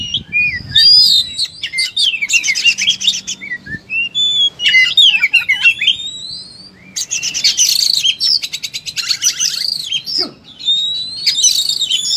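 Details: Oriental magpie-robin (kacer) in fighting-mode song, spilling out varied phrases: scratchy trills, swooping whistles and harsh buzzy bursts separated by short gaps, sounding loud and busy.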